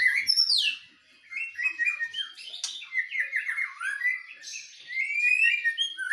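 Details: Singing duel between two white-rumped shamas, one from Medan and one forest-caught from Nias. Clear whistled phrases, varied and fast, with high downslurred notes and chattering trills, and a brief pause near the first second.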